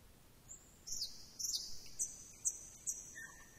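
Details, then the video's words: Thrush nightingale song: a long high piping whistle punctuated by clicking accents, closing with a short lower whistled note. "Luscinia luscinia"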